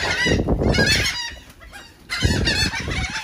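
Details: Gulls in Atlantic City, New Jersey, eating cake, give harsh, nasal squealing calls in two bursts of quick overlapping notes, over low rumbling wind or surf noise.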